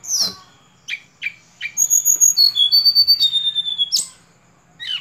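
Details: Sunda robin song: a few sharp chirps, then a fast, pulsing sequence of pure high whistles stepping down in pitch, ending with another sharp chirp.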